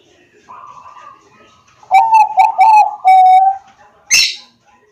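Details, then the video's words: Bangkok zebra dove lure song recorded by Android phone in Pekalongan regency, Central Java, meant to get reluctant doves calling daily; a faint note, then a quick run of four bubbling coos ending in a long steady one, followed by a click. "pancingan perkutut bangkok agar bunyi dan gacor setiap hari"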